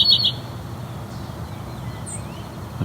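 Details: In the distance, at the edge of the tallgrass prairie in McMaster Forest, Hamilton, Ontario, a house wren gives a quick burst of dry, high ticks, then falls quiet; a faint high note and a low outdoor rumble follow.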